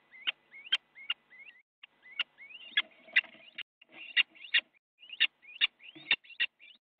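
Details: Little owls fighting inside a nest box on a live camera in the Netherlands, recorded on 8 January 2017 in the morning, one owl biting the other; rapid rising whistled yelps ending in sharp clicks, repeated in quick irregular bursts.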